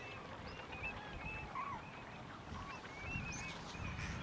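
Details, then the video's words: Eurasian Teal at Lac d'Orient, France, in November 2022: several birds calling with short, clear, high whistled notes, scattered and irregular, over a steady low rumble of wind or water. "Sarcelle d'hiver (Anas c. crecca) Eurasian Teal"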